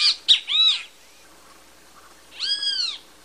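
Great kiskadee giving loud, ringing, arched notes rich in overtones: a quick cluster of syllables, then one drawn-out note about two seconds later.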